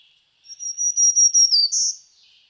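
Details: A Black-throated Green Warbler, a spring migrant warbler of Kentucky, gives a high, buzzy song: a run of level zee notes, then a lower buzz and a rising higher one, like "zee zee zoo zee".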